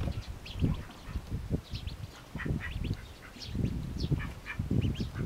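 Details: Mallard ducklings eating eagerly: short, thin peeps rising in pitch, scattered irregularly over steady low rumbling and dabbling noise.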